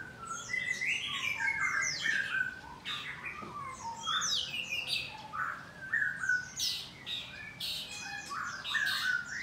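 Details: White-rumped shama at a Bogor breeding farm, singing inside its cage in the morning: scattered loud whistles, harsh chattering bursts and clear slurred notes, delivered in irregular, varied phrases.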